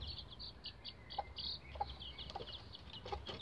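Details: Bantam Rhode Island Red chicks about 11 days old, using a chicken ladder: a dense stream of high, thin downslurred peeps, several birds overlapping almost continuously, with occasional soft knocks in the background.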